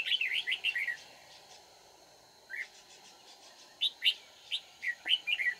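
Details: Red-whiskered bulbul song recorded while trapping wild birds in Vietnam, 31 March 2019: a rapid run of bright warbled chirps, a lull, then spaced sharp whistled notes, with a constant low hum behind.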